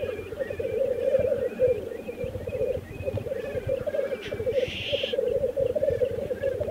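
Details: Black grouse lekking (mating display) in Teesdale, North Pennines, UK, bubble in a steady, low, dove-like rolling coo that never stops, with a harsh hissing sneeze near the end and faint higher whistles behind.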